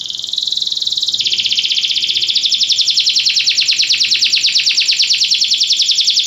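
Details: Belgian canary singing for training: a long continuous roll that starts buzzy, shifts pitch after a second and runs on as an even, rapidly pulsed trill.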